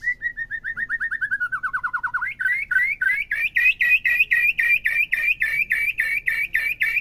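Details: White-rumped shama song used as a stimulus to rouse a captive bird into full song, played morning, midday and afternoon: a descending run of clear whistled notes, then rapid, evenly repeated loud chirping notes about three per second.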